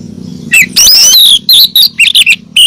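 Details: Female oriental magpie-robin calling to a male, played to coax caged males into singing; a rapid run of loud, varied whistled notes, slurred and sweeping, in quick bursts with short gaps, faint low hum behind.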